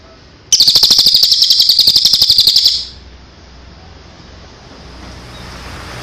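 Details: Songbird training song for birds in and after moult: a rapid high buzzy trill of about four notes per second, lasting over two seconds, then quiet.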